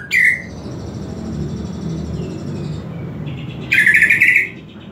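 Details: Greater green leafbird song meant as a lure to stir other leafbirds to sing: an opening loud chirp, then faint, drawn-out high whistles, ending in a rich, buzzy, warbled burst lasting about half a second.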